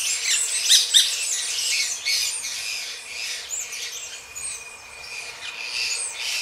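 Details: Gray-breasted Parakeets mating, giving dense, harsh, high chattering squawks that crowd the first second and then continue in softer overlapping bursts, over a steady thin insect-like whine.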